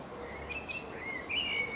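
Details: Common blackbird in England, a male singing from a tree branch: soft fluty whistled notes that rise and fall, ending in a brighter warbled twitter, heard over a constant background hiss.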